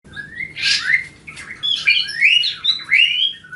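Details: Grey-cheeked bulbul, a kept songbird, giving varied, chattering song: quick slurred whistles and rising and falling buzzy notes in short bursts, with a harsh squawk early on.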